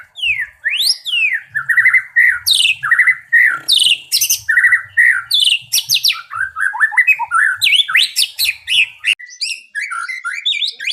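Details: Energetic caged white-rumped shama from Indonesia, prepared for contest singing, delivers a varied run of clear whistled phrases, rising and falling slurs and quick chips, with almost no pause over eleven seconds.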